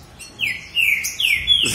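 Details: ['Two long, clear whistled notes from a green-winged saltator in a singing contest between two males, each note a smooth sustained slur.']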